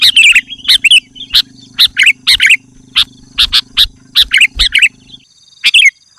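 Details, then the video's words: Male sooty-headed bulbul in the afternoon calling to a rival: sharp, ringing chirps with short liquid flourishes, spaced about every half second, over a low buzzing hum that stops near the end. "Suara Burung Kutilang jantan Memanggil lawan di sore hari"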